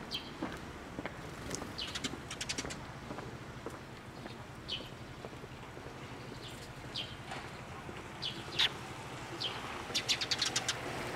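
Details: Sparrows flying in to be fed at a Tenmangu shrine, 8 April 2024: short, bright chirps scattered irregularly through the clip, some in quick clusters, over background noise with clicks and rustling.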